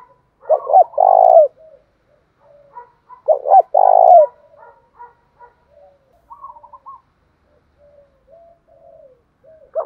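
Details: Spotted dove singing 'thổ pha' style cooing, used to prompt a caged bird to sing: two strong, low, resonant coo phrases about three seconds apart, each with quick leading notes, then a run of faint, scattered softer coos.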